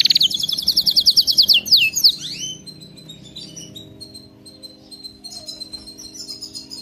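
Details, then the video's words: Canary song presented as training for pet canaries to sing nonstop: a fast, loud, high trill of evenly repeated notes for about two seconds, then softer scattered high chirps and whistles. "صوت كناري مذهل لتدريب وجعل طائرك الكناري يغرد بلا توقف canary singing training bird"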